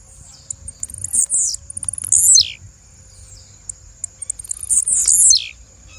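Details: Female blue-black grassquit: a clicking run accelerates into a grating, high note that falls away, given twice about three seconds apart, with a thin steady whine behind.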